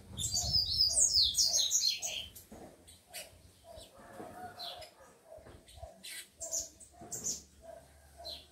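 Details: Caged tico-tico (rufous-collared sparrow) males with females: a bright run of rapid, descending whistled notes opens, followed by scattered high chirps over a regular, low clucking pulse.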